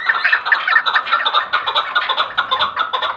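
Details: Chukar partridge calling in quick, rhythmic chuck notes, a little over two per second, harsh and clucking, forming an even chattering run.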